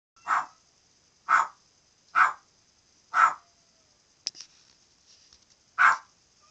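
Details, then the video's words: Pet parrot barking like a dog among its other noises: five sharp, harsh bark-like bursts spaced about a second apart, with a brief click between them and a steady faint high hiss behind. "Parotte making noises!"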